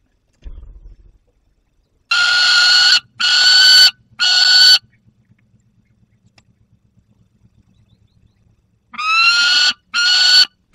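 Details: Peregrine falcon youngster with prey, Barycz Valley, late August 2022. Three rasping, drawn-out screams in a quick series, then a long quiet stretch with a faint low hum, then three more grating calls.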